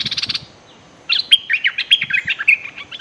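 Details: A bulbul used as a lure bird, threatening nonstop toward a wild bird, gives a quick burst of chattering notes, then harsh, scolding chatters mixed with brief bright whistles, fast and nearly continuous.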